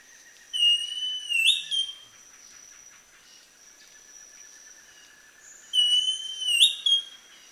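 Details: At Chan Chich Lodge, Belize, in April 2015, a Northern Schiffornis gives two clear, slurred whistled phrases, each about 1.5 seconds long and several seconds apart, over a steady high insect drone.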